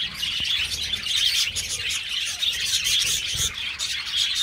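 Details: Aviary flock of budgerigars producing constant shrill chirps and warbled twitters that blend into one busy chorus, a few sharper notes standing out, with soft low background noise.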